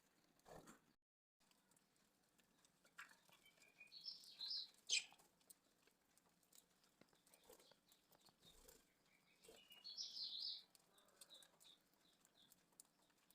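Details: A colony of budgerigars gives short, high chirps and warbled notes amid soft clicks and rustling.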